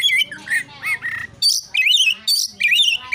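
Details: Oriental magpie-robin fighting song to stir rival birds: loud clipped whistles and wavering slurred notes alternating with scratchy buzzy bursts, short phrases separated by tiny gaps.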